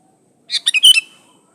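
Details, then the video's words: Clean recording of a sooty-headed bulbul in vigorous song, used to lure other bulbuls into singing: one brisk phrase of four liquid notes ending in a falling whistle. "Suara burung kutilang gacor Asli tanpa isian Ampuh buat pancingan kutilang gacor"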